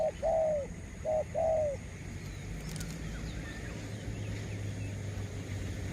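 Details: Spotted dove kept to lure wild birds; two short-and-long coo pairs at the start, then only low rumbling background noise.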